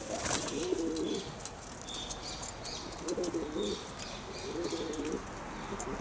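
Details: Pigeons cooing: low, soft rolling coos come in three separate bouts about two seconds apart, each lasting roughly half a second, over a steady background hiss with faint clicks.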